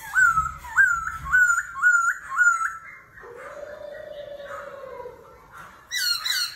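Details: Laughingthrush in a singing contest, forest-voice style, switching voice continuously ('kéo thuốc lào'): six loud repeated swooping whistles, a long low mellow tone, then a burst of high bright notes.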